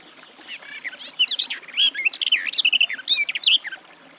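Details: Garden warbler (Sylvia borin) delivers a flowing, mellow warble of rapid swooping and twisting notes, building steadily over about three seconds.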